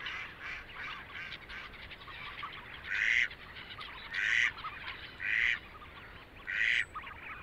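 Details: Canada goose in spring in Belarus, a rare vagrant there, with other wild geese and ducks: four loud, broad honks at roughly one-second intervals over a steady background of quieter flock chatter.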